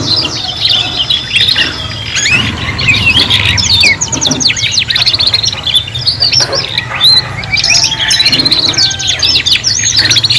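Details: Young canaries learning song in a group, giving continuous high twittering, rattling trills and looping whistled notes that overlap densely above a soft low hum.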